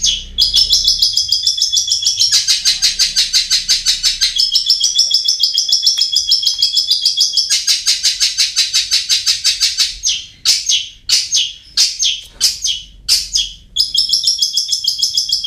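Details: Long-tailed shrike (Lanius schach) song used as a lure to get quiet birds singing: a dense, rapid, scratchy chatter of high notes, continuous at first, then breaking into short harsh bursts near the end.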